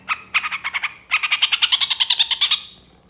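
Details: Young long-tailed shrike in moult on a master lure recording of full isian song: a run of harsh, rasping notes repeated rapidly, a short burst, a brief pause, then a longer, faster series that fades out.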